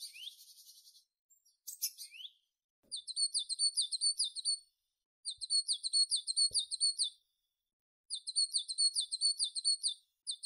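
A tit gives very high, rapid twittering phrases, each lasting about two seconds, repeated after brief pauses in otherwise quiet surroundings.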